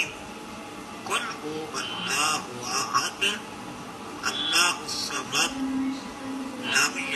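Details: African grey parrot recites Quranic verses (Al-Fatihah, Surah Al-Ikhlas) indoors in short, voice-like, chanting phrases with a measured rhythm and brief pauses; speech mimicry.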